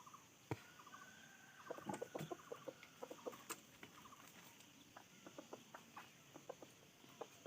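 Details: Red junglefowl uttering an irregular series of short, sharp clucks spread through the recording, alongside brief repeated insect trills and a constant high background hiss.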